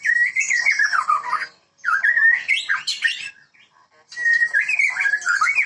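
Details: White-rumped shama, Medan type, in a breeding setting, singing gacor: three bursts of loud fluty whistled phrases, each with descending slurs and warbles, separated by brief pauses.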